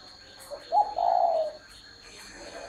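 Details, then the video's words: Spotted dove call is a low hollow coo. A small pickup note leads into a longer smooth note that sinks slightly, and a faint further coo begins near the end against quiet hum. "CHIM CU GÁY"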